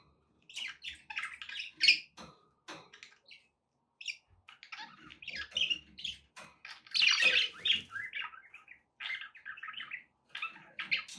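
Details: Budgerigar warbling meant to coax a pet parrot into eating and singing, a busy stream of quick chirps, raspy chatter and squeaky notes in uneven bursts, with a loud scratchy flurry midway and light background clicks.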